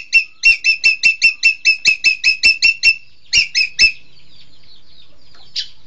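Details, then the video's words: Rapid harsh squawking from a green magpie, known locally as engkek keling: roughly thirteen evenly spaced notes, a brief pause, three more, then quiet with one faint later note. "Engkek keling"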